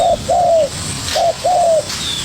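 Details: Young spotted dove answering a decoy bird vigorously, giving a two-part coo phrase twice: a brief hoarse note followed by a longer smooth falling coo, with faint background noise.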